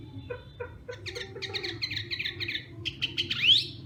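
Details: Hwamei during morning song training opens with a few spaced soft clicks, builds into a quick series of buzzy chirps, then ends with a sharp rising whistled sweep, over a steady low background hum.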